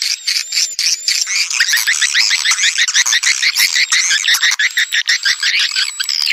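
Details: Swiftlet attraction call made of loud, continuous high twittering with thin whistled notes threaded above the chatter.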